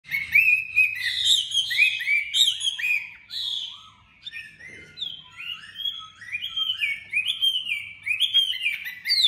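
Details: Tame Chinese hwamei with a sharp voice, newly arrived in Hanoi, pouring out a rich run of varied loud whistled phrases that rise and fall, with quick slurred notes and a brief quieter pause midway.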